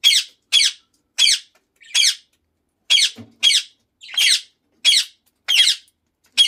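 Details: Indian ringneck parakeet of the lutino colour form, indoors, repeating sharp raspy screeches roughly every half to one second in a steady series, a faint low knock heard once in the middle.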